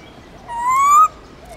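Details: Black-throated laughingthrush from the Central Highlands singing in the forest-voice style, a recording played to train young birds and spur others to sing: a single clear whistled note of about half a second, rising slowly, with faint overtones over a quiet background.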